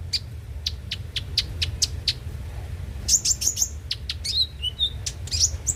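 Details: Konin, or brown-throated sunbird, singing as a training lure: evenly spaced sharp ticks at first, then quick high twittering with short whistled slurs, against a low background rumble.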